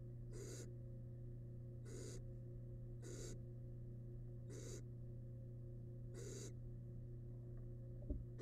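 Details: Nestling barn owl, wild, inside a research nest box while feeding on rabbit remains; six fairly quiet breathy hisses spaced roughly one to one and a half seconds apart, with steady background hum.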